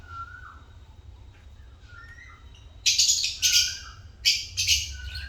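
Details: Pet African lovebirds chirping: a few thin whistles early on, then loud, harsh, broadband squawky chirps in two pairs of bursts, over a steady low hum.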